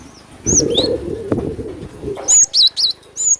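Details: Cinereous tit (glatik batu) lure call meant to attract birds: a few high slurred whistles, a muffled rustling stretch, then loud wavy, looping high notes at the end.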